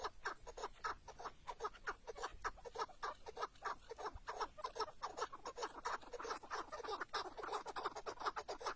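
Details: Chukar partridge kept as a tethered decoy during a hunt in the wild, giving a fast, dense series of clucking chuk notes that run without pause for the whole stretch.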